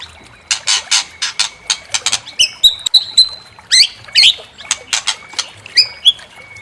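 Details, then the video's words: White-rumped shama (murai batu) used to provoke another bird's song: scattered dry clicks and rasps mixed with clear whistled notes, some rising and some held level, loose and unhurried. "Pancing EMOSI MURAI BATU BONGKAR ISIAN"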